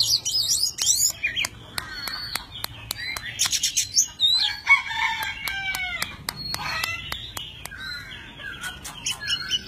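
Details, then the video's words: Oriental magpie-robin, a tame bird, dancing with spread wings and tail as it sings. Varied whistled phrases and rich warbles are broken by a regular run of sharp dry clicks or snaps. "Chim chích chòe than thuần, hót múa cực hay"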